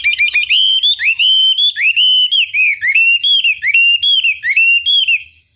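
Chinese hwamei singing a loud, rich run of clear whistles, many slurred up and down, in quick varied phrases with no pauses.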